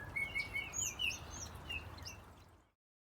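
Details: Azure tit, Cyanistes cyanus, a bird bred in an aviary and also flying free in a villa garden; thin, high chirps and short sharp whistled notes scattered irregularly over under three seconds, above a low rumbling background.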